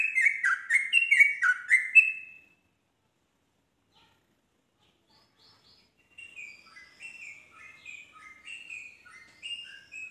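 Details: Yellow-vented bulbul song meant to get other bulbuls singing: a loud, fast burst of bubbly downslurred chirps, a pause of silence, then a quieter, steadily repeated chatter of short warbled phrases.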